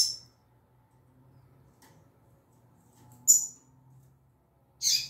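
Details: Female double-collared seedeater singing in the 'tui tui zel zel' style: short, high, buzzy notes come singly at irregular gaps of one to two seconds, with faint low room noise between them.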